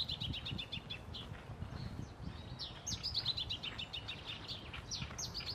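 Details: Male masked yellowthroat in song at Reserva Ecológica Costanera Sur, Buenos Aires, October 2022; a fast run of high chirps opens, then a bright descending warbled phrase, over steady low background noise.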